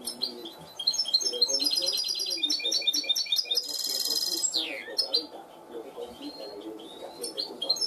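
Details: Caged goldfinch hybrid trained to a clean song style, singing a long varied run of rapid chattering trills, buzzy rattles and sliding whistled notes, with a dense metallic trill in the middle; faint low background noise.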